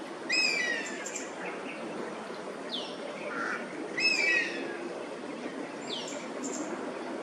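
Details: Oriental honey buzzard perched in Singapore, calling repeatedly as a flock of Oriental pied hornbills invades its roost. Two bursts of high, thin, descending whistles with bright overtones, about four seconds apart, over steady background hiss and other brief bird notes.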